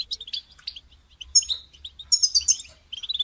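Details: Caged-bird motivation recording of a European goldfinch: scattered sharp chirps early, then a bright rippling twitter run with clear high whistled notes after a short gap.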